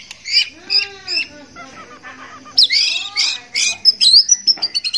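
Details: Male white-rumped shama in breeding condition courting a female: harsh, squawking notes with buzzy harmonics in short bursts, then a quicker run of sharp chirps near the end, over a steady high thin whine.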